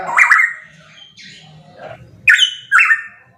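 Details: Pitohui: one strong harsh descending note, a quieter pause with soft murmurs, then two loud raspy notes that leap up and slur down, delivered loudly.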